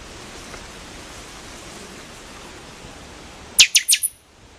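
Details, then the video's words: Pixoxó, the buffy-fronted seedeater, gives one brief phrase after a stretch of hissy background: three or four snapping, downslurred high notes in rapid succession. "O Canto do PIXOXÓ (Sporophila Frontalis) Bird Song - Buffy Fronted Seedeater"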